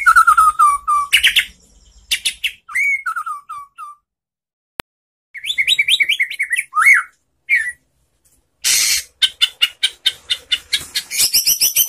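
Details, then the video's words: Calm white-rumped shama lure song: descending whistled runs and harsh notes, a pause, then a burst of quick upward-swept whistles, and finally a long series of rapid, sharp repeated notes. "SUARA MURAI BATU SANTAI untuk Memancing BUNYI NYAUT ¦ PANCINGAN MURAI ¦ SHAMA BIRD"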